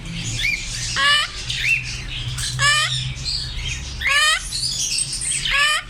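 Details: African grey parrots calling, loud rising whistled squawks repeated roughly every one and a half seconds among softer chatter, low hum in the background.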